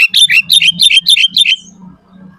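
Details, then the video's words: Sooty-headed bulbul singing vigorously, meant to draw in and train other bulbuls: six quick paired chirping phrases in a steady rhythm over one and a half seconds, over a faint low hum. "Suara Burung Kutilang Gacor FULL ISIAN paling masuk buat PANCINGAN MASTERAN semua BURUNG KUTILANG"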